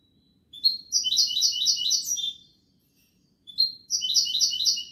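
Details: Two bursts of Kobia Malaga style singing from a European goldfinch: each starts with a rising note and rolls into a quick, liquid, repeated trill of about four syllables per second, separated by a short pause.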